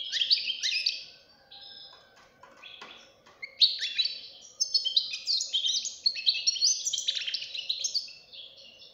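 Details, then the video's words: A young European goldfinch chick sings a strong, fast, tinkling twitter of high, liquid notes and buzzy trills in long runs, with a brief pause, over faint background hum. "غناء فرخ طائر الحسون"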